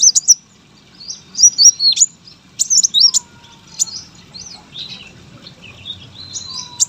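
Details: Brown-throated sunbird, a competition songbird, singing in short bursts of thin, high twisting whistles with pauses between phrases; a faint lower whistle and soft background hum are also heard.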